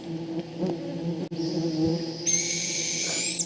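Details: Northern Hawk Owl chicks in mosquito-filled Alaskan bogs in July give a long, hissing, high screech that rises toward the end: begging for food from parents hunting mice or voles. A steady low droning hum like buzzing insects runs underneath.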